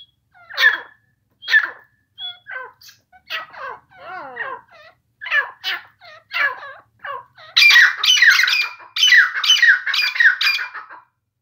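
Grey Francolin giving harsh, shrill, repeated notes that quicken and grow louder into a ringing, rapid series near the end.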